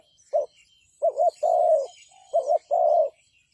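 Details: Spotted dove used as a decoy for trapping wild doves; low cooing phrases, each a short double-noted coo followed by a longer drawn-out coo, repeated about every second and a half, with faint high chirps of other birds behind.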